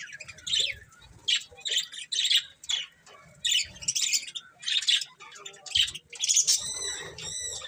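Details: Budgies chirping while eating, short bright chirp bursts about every half second, ending in a series of clear stacked harmonic whistles.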